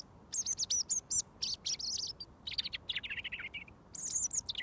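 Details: Wild robin, fed by hand for over a year, singing at close range until mealworms arrive. Rapid high twittering phrases, then a lower run of quick jumbled notes and a final high trill.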